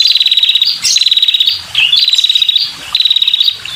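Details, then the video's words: Female red-headed prinia calling to draw in males, repeating quick dry rattles of high clicking notes, each trill introduced by a brief rising chirp, in steady back-to-back bursts. "Suara Burung Prenjak‼️Kepala Merah Betina‼️Gacor dan Untuk Pikat Burung Prenjak Jantan"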